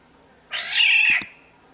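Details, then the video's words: Black-naped oriole from Sumbawa, lure sound: a single grating, nasal squall of under a second, cut by two brief clicks near its end. "Pancingan suara burung kepodang SUMBAWA"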